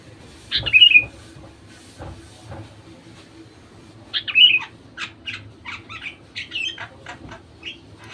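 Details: Sooty-headed bulbul lure song aimed at making other bulbuls sing: two short, liquid, falling phrases about three seconds apart, then a run of quick, high, scratchy chirps, with soft knocks behind.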